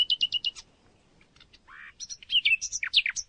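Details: Common nightingale (Luscinia megarhynchos) song opening with four quick repeated notes, a pause, a low buzzy note, then a rapid jumble of high whistled and chirping phrases; faint background rumble.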